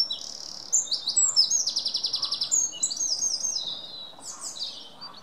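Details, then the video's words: Singing wren delivers a rapid, high-pitched torrent of notes, with a dry even trill of about a dozen pulses at its core, ending in quicker descending twitters. "Wren singing"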